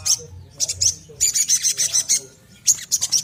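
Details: Little spiderhunter singing energetically, a recording used as a lure to stimulate other birds to sing; sharp, very high chipping notes delivered in quick bursts of several, separated by short pauses, with a faint low hum beneath.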